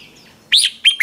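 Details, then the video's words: Red-whiskered bulbul in 'ché' voice-training song, used as a lure to train birds. After a quiet start come three loud, bright notes, each a quick slurred rise and fall, in close succession. "Chào mào hót ché luyện giọng quá hay"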